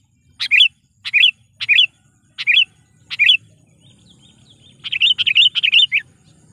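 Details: Sooty-headed bulbul lure call used to provoke wild birds, giving five bright, bubbly chirps about two-thirds of a second apart, then a quicker run of six notes. Faint low rumble underneath.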